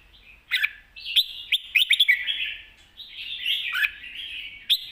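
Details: Lively red-whiskered bulbul song in the 'mae bot' master style: sharp accented notes and rapid chirp clusters, then long bright warbled phrases that rise and fall, with brief gaps between bursts.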